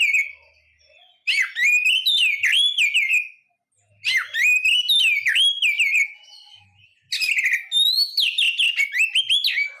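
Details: White-rumped shama singing in three loud bursts of rich, varied whistled phrases, fast slurred and rising notes tumbling together for about two to three seconds each, separated by short silences.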